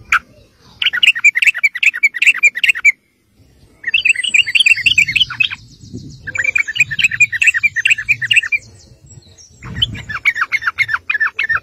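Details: Sooty-headed bulbul singing in gacor ngeropel style to lure other bulbuls into answering: four long bursts of rapid, jumbled chirping notes separated by brief gaps, with faint low rumbles between phrases.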